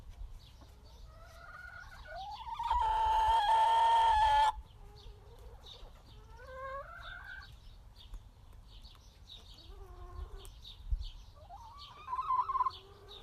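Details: Several happy backyard chickens calling: soft rising harmonic notes, then a loud, steady, drawn-out squawk for almost two seconds, followed by more wavering rising calls and a short loud burst near the end.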